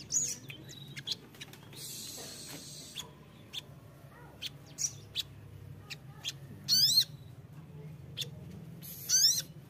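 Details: Ruby-cheeked sunbird, used as a lure recording to get untrained wild-caught sunbirds singing: thin, very high chirps and quick rising twitters about every few seconds, with brief rustling bursts between.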